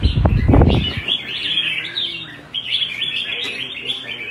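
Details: Red-whiskered bulbul in competition singing, Vietnam: loud thumps at first, then a flowing run of chirpy, whistled warbles, pausing briefly midway before resuming over faint music.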